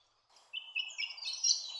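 A spectacled monarch gives a brief run of high whistled notes that climb into a harsh, buzzy rasp, over a faint low hiss of background noise.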